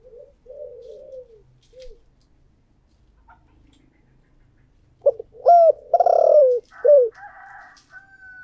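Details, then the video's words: Spotted dove kept as a decoy, singing in the 'thổ' voice style: soft quavering coos at first, then from about five seconds a loud series of short hooked notes and a long rough rolling coo. "cu gáy giọng thổ đặc Mp3/ Tiếng Chim Cu Mồi Giọng Thổ Đặc Sắc"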